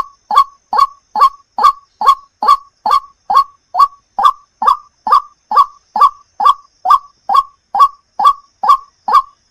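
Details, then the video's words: White-breasted waterhen call played to lure birds: a long, metronomic sequence of abrupt croaking 'kwak' notes, roughly two per second, clean and unbroken. "suara pemikat burung ruak ruak"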